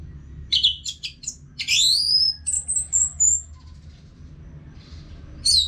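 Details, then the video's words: Song of the orange-headed thrush, called Anis Merah: quick high chips, then a bright upward-sweeping whistle and a thin descending trill, ending after a pause with another short burst. "ANIS MERAH GACOR TIADA HENTI TANPA NGETEM BAGUS BUAT TERAPI BURUNG AGAR IKUT NGEPLONG NYAUT"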